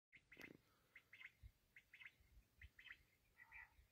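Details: Black francolin (kala teetar) calling: short harsh, grating double notes around the upper-middle pitch, given in quick repeated bursts about every half second, with low thumping rumble underneath.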